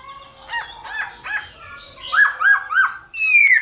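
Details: Morning song of a black-throated laughingthrush, singing competitively to stimulate other birds; soft rising-falling harmonic notes give way to three quick bright hooked whistles and a long, clear downslurred whistle.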